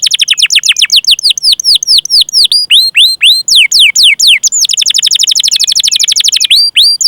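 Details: Canary song played to lure other canaries into singing: quick sharply swept whistles in series, shifting midway into a rapid steady roll of short repeated notes before more swooping whistles.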